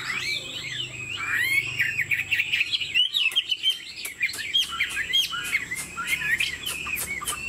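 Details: Pet Chinese Hwamei, 90% pure-bred, singing with head-bobbing 'lion dance' display and wing play: rapid, rich whistled warbling of rising and falling slurs, briefly pausing near the middle before resuming, with clicking noises and a steady high tone.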